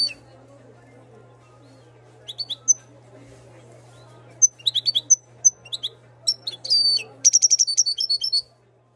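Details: Moroccan goldfinch bred in 2022 giving scattered sharp chips and short twitters that build into a quick, dense burst of tinkling notes near the end, over a constant low hum.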